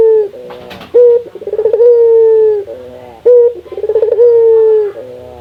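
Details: Local Indonesian Barbary dove giving repeated coos meant to encourage other doves to call. Each phrase is an abrupt note, a rolling trill and a drawn-out steady coo. Two full cycles are heard, about three seconds apart.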